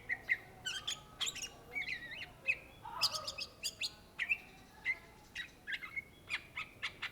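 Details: Cucak ijo, the greater green leafbird of Indonesia, in lively gacor song: quick chirps and whistled notes. A rougher, raspy phrase appears near the middle, followed by repeated clear ringing whistles.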